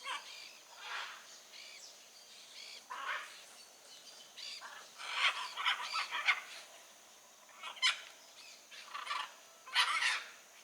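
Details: Free blue-and-yellow macaw in its natural setting: a busy stretch of raucous, overlapping squawks and rasping calls with few gaps, rising in loudness toward the middle and end.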